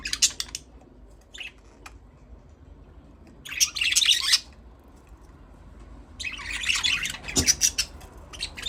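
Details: Budgies give short bursts of bright, scratchy chirping separated by near-silent pauses, two louder chattering flurries standing out, plus a soft low thump near the end.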